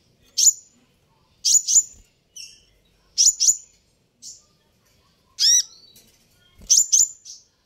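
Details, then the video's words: Paired high chips from a sunbird, repeated about every one and a half seconds, with one ringing, downward-sliding note midway; used to provoke a reply. "suara ini bisa bikin Kolibri ninja naik pitam"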